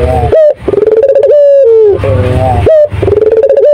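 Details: Turtle dove cooing energetically: each phrase opens with a quick rising note, then a long, buzzy, level coo that dips lower before ending. Recorded loud and near.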